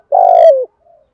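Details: Spotted dove giving a thúc gù cooing call used to lure wild birds: a single low, hollow coo held about half a second, sliding down at the end, followed by a faint softer note.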